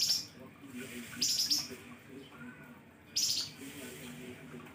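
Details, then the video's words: Flamboyan bird delivering piercing 'nembak pedes' chirps used to lure birds: harsh, very high chirp bursts at about 1.5-second intervals, each under half a second, over steady faint background noise. "flamboyan kicau nembak pedes"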